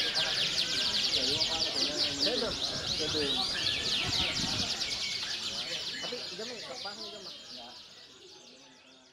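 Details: Canary competing in a singing contest delivers an unbroken stream of fast rolling trills and rattling high notes. Voices murmur faintly underneath, and the song fades gradually toward the end.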